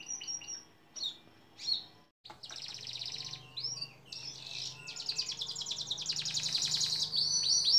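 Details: Canary in a long-duration training recording for songbirds: scattered high chirps, then a dense buzzy high rattle growing louder, over a faint low hum.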